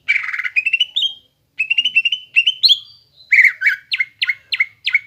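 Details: Greater green leafbird, a gacor bird used to stimulate young birds to sing: a rasp, then rising trilled whistles, a pause, more trills with a high sweep, and a series of rapid downslurred chirps.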